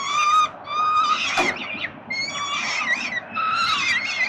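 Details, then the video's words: Peregrine falcon young in a Melbourne, Australia nest, begging from their feeding father on 30 October 2021: thin, strained squealing wails that sometimes rise and crack upward, separated by short pauses and a rough rasp. "Sokoły wędrowne - Tata karmi swoje głodomorki"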